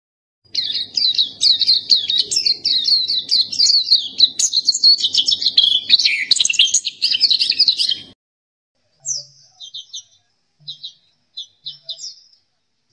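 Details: ['Black-capped white-eye in full song, delivering a dense, rapid high twittering warble of jumbled chirps for about eight seconds, then a few short, spaced high notes with silence between.']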